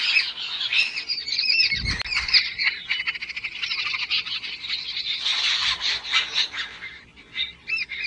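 Jungle babblers raise a loud, harsh, squeaky chatter of overlapping calls, almost without pause, during a fight, with a soft thump near the start.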